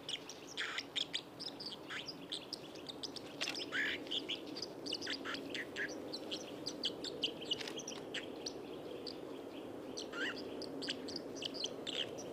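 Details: White-throated dipper by the Lieser river in Wittlich, 2019: scattered high chirps and short twittering notes, some rising sharply, spread over steady rushing river noise.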